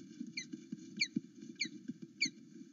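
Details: A male osprey at a nest at Loch Arkaig, morning 08-09:00, excited at his mate's return, gives sharp, high, down-slurred whistled chirps about every half second over a low rumbling, scuffling background.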